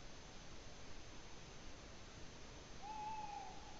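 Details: Tawny owl recorded at Ūpis, Latvia, on 8 May 2017: one steady, slightly arched hoot-like note lasting about half a second near the end, over constant broadband hiss.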